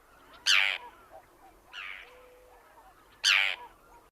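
Forster's Tern giving harsh, rasping single-note kerr calls: two loud ones about three seconds apart, with a softer one between, over a faint background hiss.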